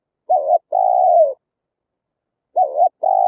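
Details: Deep coo pairs of a spotted dove, Vietnam, played to attract wild birds to a trap: a short warbled note joined to a long level coo, the pair repeated after a two-second pause.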